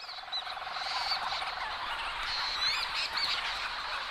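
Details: Leach's storm petrels at night in a dense colony where fork-tailed storm petrels also call, giving a rapid, pulsing purr, several birds churring and chattering at once as they crash through trees seeking burrows and mates.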